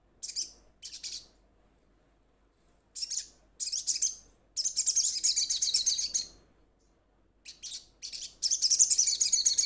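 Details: Sogon calling to companions, a bird starting to sing: very high, hissy chattering bursts, some drawn into fast buzzy trills up to two seconds long, separated by short pauses.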